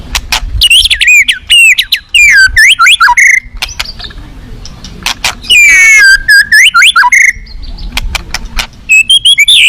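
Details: White-rumped shama in a cage at a singing contest, giving bursts of rich fill song: quick falling whistles and twangy slurs, then a thin buzzy pause and another vigorous phrase of swooping whistled notes.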